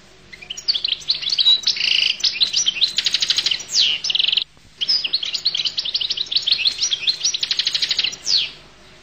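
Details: Goldfinch in full song: long, dense, bubbling phrases of high twitters, rapid clicking trills and slurred notes. Two extended bursts are separated by a brief pause.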